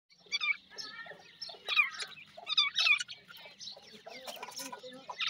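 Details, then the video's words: Grey francolin chicks from India, fighting: a dense overlap of short, high, wavering chirps and squeaky notes from several birds, with louder bursts near two and three seconds. "dakhni teetar chicks fighting,indian gora teetar chicks voice"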